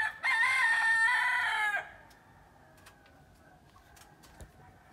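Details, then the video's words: Rooster in Mexico crowing before sunrise and waking the household: one loud, drawn-out, harmonic crow lasting about a second and a half, held level and then dropping at the end. Quiet follows, with a few faint clicks and distant sounds. "Rooster wakes up before sunrise"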